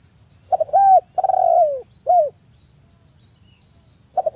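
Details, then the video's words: Spotted dove song played as a lure to make other doves call: a quick stuttered start, then a short coo, a long drawn-out falling coo and a brief closing coo, followed by silence and a new phrase beginning. "TEKUKUR GACOR merdu - PANCINGAN TEKUKUR NGALAS BUAT TEKUKUR MALAS JADI EMOSI BIRAHI"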